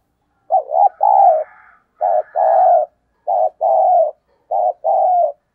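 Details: Spotted dove cooing, recorded for use as a lure to draw in wild doves: three clear mellow two-part phrases, each a short hooked note followed by a longer level coo, spaced about every one and a half seconds with silence between.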